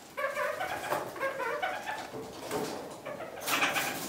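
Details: Captive kakariki in spring, feeding on fresh currant and blackberry branches, giving a run of nasal, harmonic chattering calls in quick succession, followed by a rustling burst at the end.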